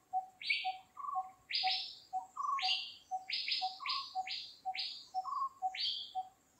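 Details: Dark-fronted babbler foraging for food, giving bright, falling chirps roughly once a second, mixed with lower short notes, over a steady ticking pulse in the background.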